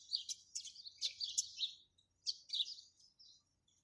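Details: Sparrows give quick bright chirps in two bursts of about five notes each, separated by a short silence.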